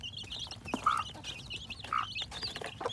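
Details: Newly hatching chickens in spring 2021: a busy mix of short, high cheeping peeps scattered throughout, with two brief, steady, lower clucking notes near one and two seconds, over faint rustling and clicks.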